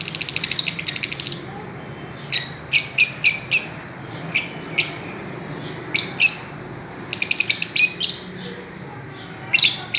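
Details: Fischer's lovebirds at play on a swing: an opening rattle of very fast shrill notes, then separate sharp chirps and short rapid bursts, all high and buzzy.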